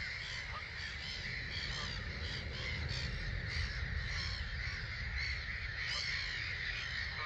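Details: Roughly 250,000 starlings leaving their roost at 05:45 on 21 March 2022 at Gibraltar Point NNR, heard from a hide: a dense, continuous wall of overlapping chattering and wheezy calls, with a steady low rumble of wind beneath.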